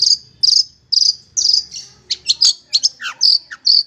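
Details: Long-tailed shrike tutor song for kept songbirds: a row of buzzy high notes, then a jumble of sharp chirps and downward-sliding whistles, fast and irregular.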